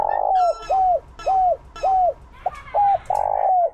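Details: Spotted dove used as a lure for wild doves, calling in the 'Chiêu Ba Hậu' style. A loud smeared opening note is followed by evenly spaced arched coos, a brief clipped note and a long drawn-out closing coo.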